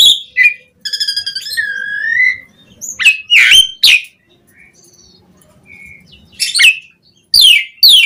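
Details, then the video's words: Asian pied starling in full song as a lure for other starlings; a harsh note, a rattling trill with a rising whistled slur, loud rasps, a soft whistle, and closing harsh bursts. "Suara JALAK SUREN Gacor MATERI Full Mewah Cocok Buat Pancingan Burung Jalak Biar Cepat Bongkar Isian"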